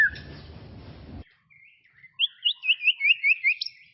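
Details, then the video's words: White-rumped shama from tropical forest, after a short stretch of noise, a quiet whistle leads into a quick series of about eight looping whistled notes. "BEST SUARA KICAUAN MURAI BATU HUTAN TROPIS"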